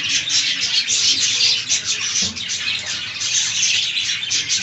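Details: Budgerigars eating fresh green leaves: a flock's continuous high chirping and warbling chatter, overlapping rapid tweets with no pauses throughout.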